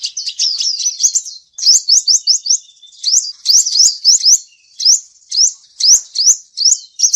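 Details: Male sunbird song used as a lure for trapping: rapid series of high, thin upslurred chirps and trills, delivered in short bursts of three to six notes separated by brief pauses, clear and loud with no other sounds.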